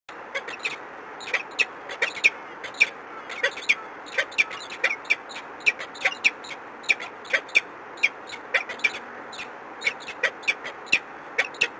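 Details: Peregrine falcon at the Palace of Culture and Science, Warsaw, 13 March 2015, late morning: a long, rapid run of sharp, clipped chipping calls, about two per second, with steady background hiss.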